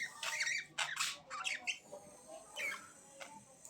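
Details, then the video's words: Budgerigars chirping indoors: bursts of harsh, scratchy squawks and short warbled notes in a quick, irregular series, fading toward the end into scattered faint chirps. "Budgies Chirping"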